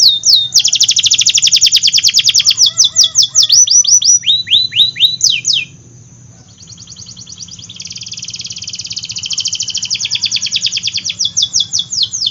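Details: Energetic AF canary song intended to draw quiet and young canaries into singing: a long fast high trill, swept whistle runs, a short silence, then a thinner rapid rolling trill building back up.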